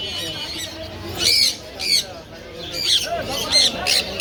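A sun conure gives harsh, grating squawks in short bursts, roughly every half second to second.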